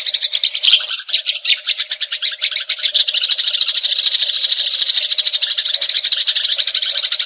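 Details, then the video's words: Eurasian tree sparrow chattering during a fight, a long rolling series meant for tutoring magpie-robins: uneven chirps at first, then a steady, rapid, high-pitched stream of buzzy notes. "Gereja Tarung Ngeroll Abis"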